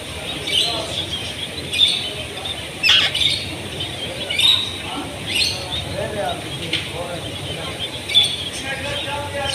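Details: Pet parrot kept at home, giving short harsh squawking calls with bright, rasping tones. Bursts repeat irregularly about every one to two seconds, with a steady high background hiss and faint murmuring underneath.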